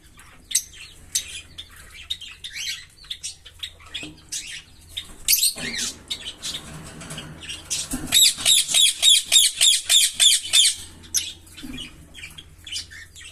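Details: Green pair of Fischer's lovebirds chirping: scattered thin high chirps and squeaks for several seconds, then a steady burst of about a dozen sharp, rhythmic chirps in quick succession, followed by softer twittering.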